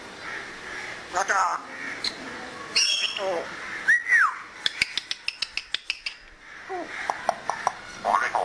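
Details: Pet African grey parrot enjoying the weather, mixing speech-like phrases and an arched whistle with a rapid train of about a dozen sharp clicks, like mimicked door knocks or a security lock.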